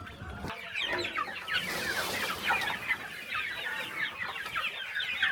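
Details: Chickens being fed in the morning on a small rural farm; many birds clucking and chattering at once in a steady mid-pitched chorus, with a brief low thump at the start.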